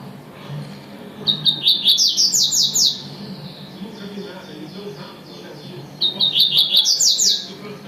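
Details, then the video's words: Double-collared seedeater delivering two tui-tui song phrases, each a string of short, high chips rising into a rapid series of piercing, slurred whistles, separated by about three seconds of quiet with faint low hum. "coleiro tuitui"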